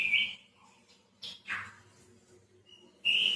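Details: Home-kept white-rumped shama giving short bursts of song: a high clear whistle, a pause, a pair of rough downslurred notes, a thin high tone, then a loud piercing whistle. Low background hum throughout.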